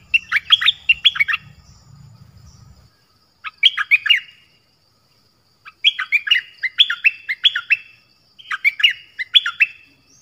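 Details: Dok taeng bird in its original voice: fast chattering phrases of bright chirps and slurred notes, repeated in bursts with short silences, partly over a low rumbling noise.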